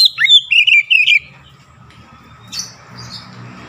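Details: Oriental magpie-robin provoking song: one second of quick, loud warbled whistles and chips, then low rumbling background with a faint rasp.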